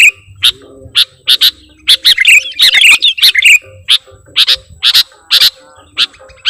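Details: Sooty-headed bulbul kept as a lure bird, singing actively with imitated song: sharp chip notes about twice a second, with a dense scratchy chattering burst in the middle.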